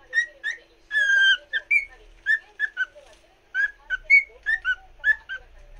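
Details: Cockatiel whistling a song for a companion cockatiel, a lively string of short, clear, slurred whistles and a longer held note, repeated in quick bursts with brief pauses.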